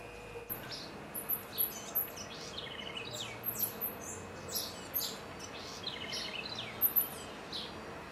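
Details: Southern house wren in Florianópolis, Santa Catarina, Brazil, sings a rapid, bubbly jumble of high, short notes in bursts through the clip, over a steady faint background hum.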